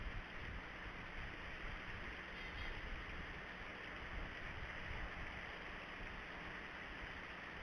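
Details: Quiet, even rushing of wind or water noise across the whole recording, with no animal sound.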